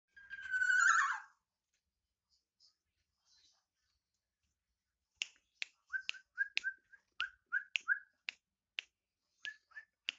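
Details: Black-naped oriole singing actively: a loud harsh nasal note opens, then after a pause a string of sharp clicks mixed with short fluty whistled notes, several each second.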